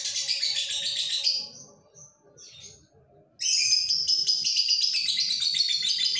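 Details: Lovebird male in breeding condition: shrill rapid chattering, then a two-second lull with a few soft squeaks, followed by an abrupt return to loud, dense, high-pitched chatter; recorded on a phone.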